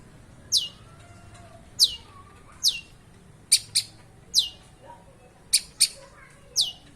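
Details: Long-tailed shrike singing as a mimic: sharp high-pitched downslurred notes repeated roughly once a second, some doubled, with faint lower chirps between them.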